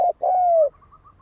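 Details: Spotted dove coo used as a lure to provoke fighting: a brief clipped note followed by one long, even coo that eases slightly lower before stopping.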